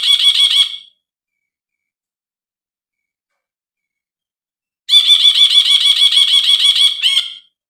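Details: Brinji bulbul, a master track meant to coax quiet young birds into singing: a short burst, a silent pause, then a long run of fast, harsh, buzzing notes at about three per second, ending in one sharp note.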